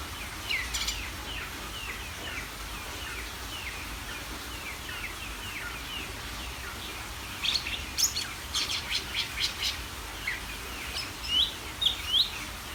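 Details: Greater green leafbird in full, constant song meant to rile other birds: a steady background of faint, rapid descending chirps, then from about eight seconds loud, sharp high notes and whistled bursts in clusters over a low rumbling hum.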